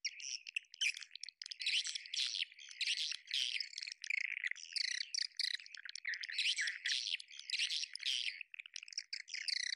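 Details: Swiftlet lure sound used to draw swiftlets into a bird house: dense bursts of high, chattering twitters and buzzy chirps in overlapping clusters, coming in uneven waves with brief gaps, no other sounds.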